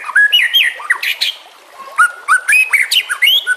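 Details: White-rumped shama song for training birds, with water sounds: short mixed phrases of clear rising and falling whistles and buzzy high notes, a brief pause, then more quick whistled and chattering notes.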